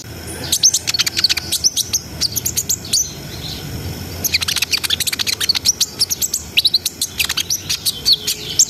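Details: Vigorous brown-throated sunbird song, ngerol sambung nembak style, used to raise breeding arousal: long dense volleys of sharp, very high clicking chirps and squeaky slurs, broken by a short pause before resuming.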